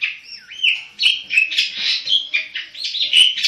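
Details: A caged black-headed long-tailed shrike sings a jumbled run of whistled slides, rolling warbles and squeaky high notes, steady and loud throughout.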